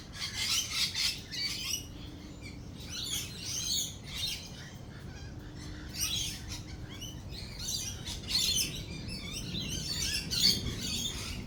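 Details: Lorikeets in a thunder and lightning storm give waves of harsh, screechy chatter in bursts every second or two, with quieter gaps and a constant low rumble beneath.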